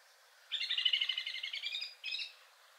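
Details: Song Thrush, the third male, whose richer song has some nightingale-like sounds: a dense, rapid buzzy trill of about one and a half seconds, followed after a brief gap by a shorter chirped note.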